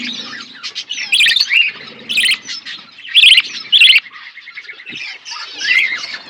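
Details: Budgerigars calling in an outdoor aviary, quiet background twittering broken by several loud, sharp squawking chirps roughly every second.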